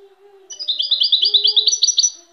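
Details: European goldfinch singing: a rapid, bright twittering run of high, tinkling notes lasting about a second and a half, steadily repeated, over a faint low steady hum in the background.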